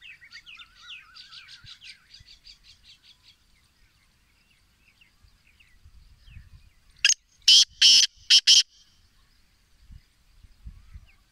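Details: Black francolin calling in Sindh, Pakistan: after several seconds of faint high twittering from small birds, one rasping phrase of five harsh, grating notes arrives, a short note followed by two long and two shorter blasts, loud and broadband.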